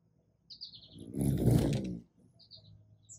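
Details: Hummingbird at a feeder in the morning, captured by an iPhone 11 on a tripod beside it: short, high chips in quick runs near the start and end, with a loud, broad rushing burst in the middle.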